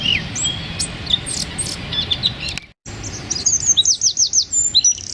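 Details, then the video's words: Dense 'tembakan' song of a small wren, used for training songbirds: high whistled notes and chips, a brief silent break, then a fast string of sharp descending notes. "Suara Tembakan Wren Bird Suara Bren Tembakan Rapat Burung Kecil"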